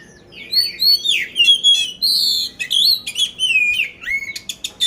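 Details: Poci kacer, an oriental magpie-robin kept in Magelang, Central Java, Indonesia, singing nonstop with a coarse 'isian kasar' fill-in: loud, shifting whistled phrases, buzzy swoops and sharp clicks tumbling in quick succession.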